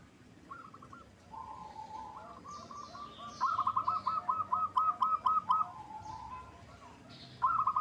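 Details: Local perkutut, or zebra dove, lure song to provoke a reply: a long even series of about ten quick rounded coos in the middle, softer coos before it, a short burst at the end, faint high chirps around.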